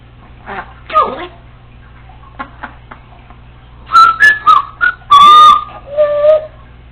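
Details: Congo African Grey parrot, a female alone at home, rehearsing learned sounds: scattered soft chirps, then a run of loud clear whistles, some rising, one long level note, ending with a lower wavering whistle over a faint electrical hum.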